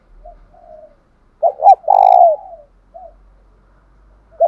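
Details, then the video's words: Spotted dove used as a decoy, coo-challenging caged birds: softer lead-in notes, then two sharp hoots and a long, resonant descending coo, followed by a brief click and another hoot starting. "chim cu mồi thúc đấu vang cả xóm, mở vdeo lên bảo đảm ở nhà có con bổi nào đều mở miệng hết"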